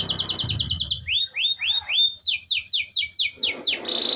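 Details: Canary singing in a clip meant for daily playback to coax silent canaries: a quick high trill, then rising swept notes, then a run of loud descending slurred whistles, closing on a short buzzy trill.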